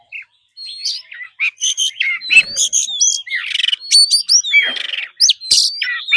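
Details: Oriental magpie-robin, caged, forest-style training song: varied phrases of whistled upslurs, sharp chips and harsh buzzy notes, loud and fast after a short pause.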